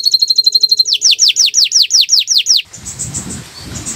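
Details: Canary master song: a fast high trill, then about ten loud downslurred whistles in steady rhythm, ending abruptly in low rumbling noise.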